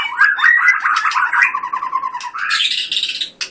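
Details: White-rumped shama in full competition-style song: a fast rolling trill of rich notes that drifts gradually lower, then switches to a high, harsh, buzzy chatter that ends in a sharp click.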